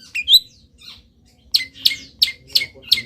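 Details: Long-tailed shrike singing during its moult, imitating wild birds: a brief twittered whistle, a short pause, then a run of sharp, high, dropping notes spaced about a third of a second apart.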